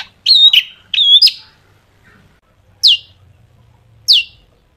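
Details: Long-tailed shrike in sharp, vigorous song intended to lure shrikes into singing: two wavering whistled phrases, then after a pause two single sharp downslurred notes about a second apart.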